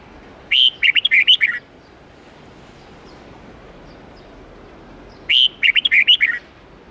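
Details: Teaching song for young red-whiskered bulbuls in the 8-9-10 note, forest-standard twisting style: a pair of crisp, chattering whistled phrases of around seven notes each, separated by nearly four seconds of quiet hiss.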